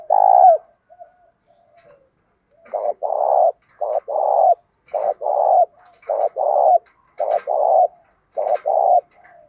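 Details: Spotted dove calling at morning to pull in wild doves, full 'giọng thổ' song mixed with 'thúc gù'. After an opening coo, a rhythmic series of short-then-long low coo pairs follows, about one pair per second.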